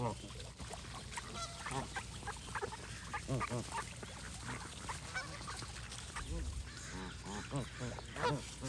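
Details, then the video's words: Overlapping honks from a crowd of geese fill the scene, short harsh nasal notes in irregular clusters, over low rumbling background noise. "Goose & Birds Sound Effects for Relaxation"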